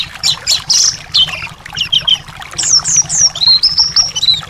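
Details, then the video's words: Thrush singing, meant to stimulate a reluctant caged bird: bursts of high chirps and warbled notes give way to a chain of descending whistles and a level, fluting trill, with faint background hum. "terapi anis males bunyi/anis macet"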